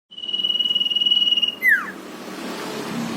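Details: Javan white-eye, a lively singing male in the drawn-out nyiul style, used to prompt other birds to sing: a long, steady, high whistle with a fast pulsing tremolo for about a second and a half, then a quick falling slur. Faint background hiss.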